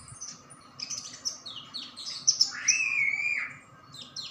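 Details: White-eye caught only two days earlier and already singing energetically: quick high chirps and twitters, then a clear sustained whistle that rises and holds steady for almost a second before fading.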